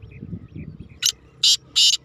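Black francolin giving three harsh, grating notes: a short first note, then two longer rasping ones about a third of a second apart, over faint low background rumble.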